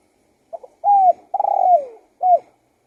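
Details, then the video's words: Spotted dove song: a quick double note, a level coo, a long rolling coo that slides downward, then a short closing coo. "BIRD SINGING"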